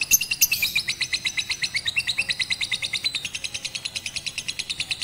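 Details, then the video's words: Batman lovebird, rooftop training with a master recording on 18 April 2021; a sweeping falling note, then a steady stream of fast, sharp high chirps continuing without pause. "Melatih Kicau Lovebird Batman Menggunakan Masteran di Atas Atap"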